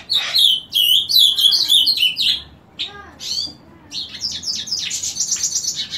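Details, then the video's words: Ultramarine grosbeak singing at its regular 7 am morning session: a rich warbled phrase of high slurred notes, followed by scattered chirps and a buzzy, rapidly repeated trill from accompanying birds. "Reina Mora Cantando Por Las Mañanas."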